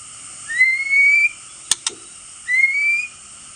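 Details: Male white-rumped shama used as a lure to provoke rival birds, with fierce clicking calls: two clear whistled notes rising steadily, about two seconds apart, with two sharp dry clicks between them over steady background hiss.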